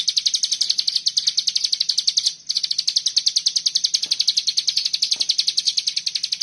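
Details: Common iora in a tight 'bren' song, recorded as a masteran tutor track: a long, rapid trill of sharp high chirps at a steady fast pace, broken by one brief pause near the middle before resuming.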